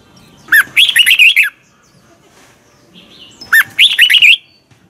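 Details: Red-whiskered bulbul singing a double twisted morning song used to train bulbuls; two cheerful warbled phrases, each opening with a falling note and followed by quick tumbling notes, three seconds apart.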